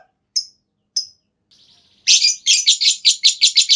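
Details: Lovebird ngekek panjang, a long trill meant to set other lovebirds singing. Two isolated high chirps and a faint buzzy phrase lead into a loud, pulsing, harsh chatter of rapid repeated notes.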